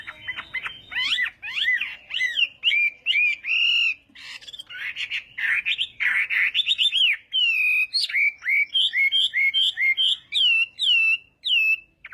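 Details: Chinese hwamei morning song for voice training: powerful whistled phrases, first jumbled and slurred, then clear repeated up-slurred notes in quick series, loud and clean against a quiet background.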